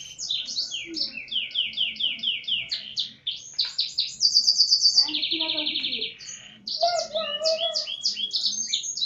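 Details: A canary tutored with blackthroat song sings a long, high, varied song: quick runs of sliding chirps, then two dense buzzy rolling trills and more rapid twittering, over faint low room noise.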